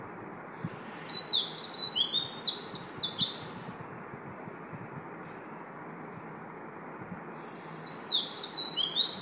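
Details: Oriental magpie-robin singing at 5 am: a phrase of descending, slurred whistles, roughly four seconds of quiet, then a second similar phrase of sweeping high notes.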